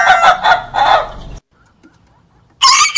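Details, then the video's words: A rooster crows loudly, a harsh drawn-out phrase of several strained syllables, then falls silent before a second crow begins. "rooster crowing loud sound"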